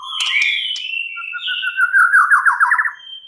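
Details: White-rumped shama song: a clear whistle that slides downward, then a lower note swelling into a fast, rising, rattling trill of rapid repeated notes.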